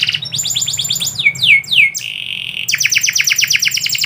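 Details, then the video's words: At midday a canary sings rapid chattering trills, three loud descending swoops, a brief steady tone, then a long fast rattling trill. "KICAU BURUNG KENARI - DISIANG HARI"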